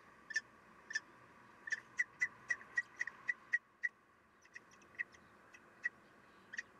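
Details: Female common kestrel feeding chicks at the nest, 3 June 2021, 9:12; brisk run of short high clipped notes, roughly three per second, then fainter, sparser notes.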